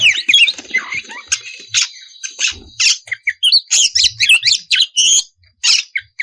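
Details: Oriental magpie-robin, a female in breeding condition calling for the male: continuous rapid jumble of rasping notes, squeaks and short whistles with a thin sustained tone beneath the opening seconds.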